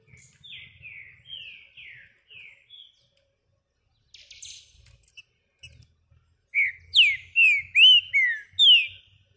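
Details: Green-winged saltator perched on a hand, starting with softer descending whistles, pausing amid some rustling, then bursting into a loud run of six ringing, downslurred whistled phrases.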